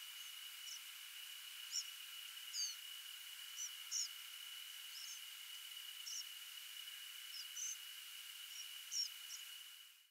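Migrating European Pied Flycatchers give short, high, buzzy, trembling, rasping calls at irregular intervals, about ten in ten seconds, over a steady high-pitched background whine.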